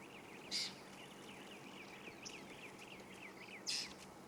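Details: A Yellow-billed Oxpecker on a buffalo in Sabi Sand bush at sunrise on 13 March 2016, with others answering and an adult calling a juvenile to it, gives two harsh, hissing calls about three seconds apart, with quick chirping from another bird.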